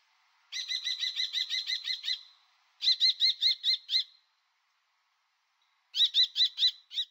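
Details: Common kestrel, from a collection of European and Jura bird sounds: three bursts of rapid, sharp, ringing kee-kee-kee notes, about nine, then six, then five, evenly spaced and harsh-edged, with short silent gaps between bursts and no background sounds.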